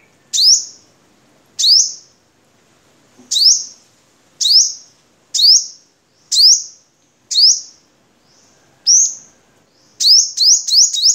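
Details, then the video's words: Vietnam-type crimson sunbird, recorded to train cage birds, repeats a sharp, high upslurred chirp about once a second for around eight notes, then ends with a quick burst of four chirps. "Suara Kolibri Sogok Ontong Vietnam Untuk Masteran"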